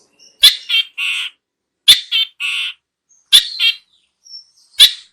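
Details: Long-tailed shrike call used for luring birds: harsh, scratchy squawking bursts in groups of three, repeated roughly every one and a half seconds, with clean silence between.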